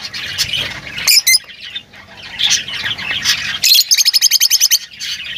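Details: Several lovebirds calling together, a dense high chatter with scratchy squeaks, ending in a fast burst of about ten rapid clicking chirps.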